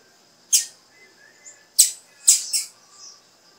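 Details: Female blue-black grassquit calling to encourage male song: short, bright, high chips, a single one followed by a close double, with soft faint notes in between.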